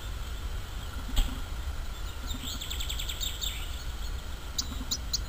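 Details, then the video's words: Bluethroat singing in nature: a rapid series of high clicking, rattling notes in the middle, a sharp snap early on, then three short high pips near the end over steady low outdoor noise. "Fortuna azul cantando en la naturaleza غناء طائر البلوثروت في الطبيعة"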